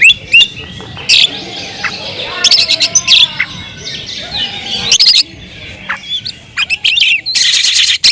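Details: Oriental magpie-robin song of varied high whistles, rapid chattering trills and harsh squeaky bursts, loud and continuous for most of the stretch with brief pauses between phrases.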